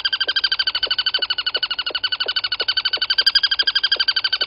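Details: At Gowrie dam waterhole, Djuma Game Reserve, Sabi Sand, South Africa, at 07:34 on 23 August 2020, a crested barbet gives a long, unbroken trill of rapid buzzy notes, about nine a second, like a ringing alarm clock, over a faint low hum.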